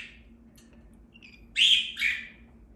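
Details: A cockatiel gives two harsh, screechy squawks in quick succession while being stroked.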